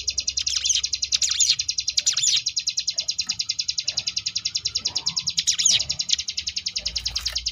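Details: Sunda bush warbler (ciblek gunung) in the ngebrem variation style, used as a training recording for contest birds: a rapid, steady, buzzy rattle of high pulses, broken by bursts of sweeping, whistled notes near the start and again past five seconds.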